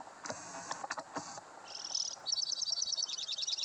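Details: Male White-winged Crossbill singing in January in the Timmins/South Porcupine area of northern Ontario in winter: high, rapid dry trills and chattering chips, several notes a second, after a few soft clicks and rustles.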